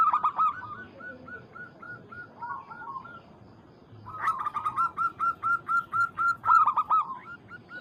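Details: Local zebra dove calling to a rival, opening with a rolling burst and quiet evenly spaced coos, falling silent briefly, then a loud rapid series of bubbling staccato notes.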